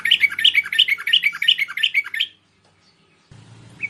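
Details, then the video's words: Merbah bulbul calling to lure wild merbah: two seconds of rapid, rhythmic bubbly notes, a sudden silence, then hum and the start of another phrase. "Suara burung merbah untuk memikat burung merbah liar"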